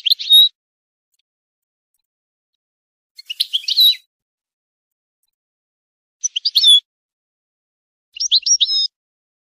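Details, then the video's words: European goldfinch singing, meant for song training and for stimulating goldfinches to mate in a breeding program; four short tinkling, twittering phrases spaced two to three seconds apart in a quiet background. "improving goldfinch singing skills exercises and training"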